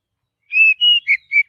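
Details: Oriental magpie-robin singing naturally in forest: four clear whistled notes, the first two long and level, then two shorter slurred notes, in a quiet setting.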